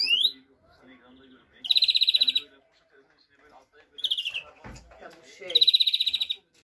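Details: Greenfinch song of three separate fast, pulsing trills, each under a second long, with a short rising note at the start and faint chirps between phrases.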